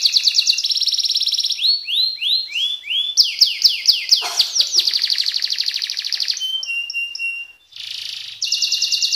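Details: Canary gacor song mixing rapid trills, sweeping descending whistles, buzzy rolls and a flat sustained tone, nearly continuous with a brief gap near the end.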